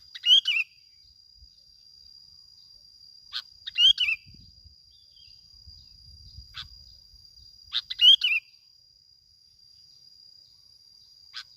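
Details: Bulbul from Bình Thuận used as a lure, singing the 'kít bổi' style: three short warbled phrases dipping and rising, about four seconds apart, with faint single notes between, over a steady high electronic whine.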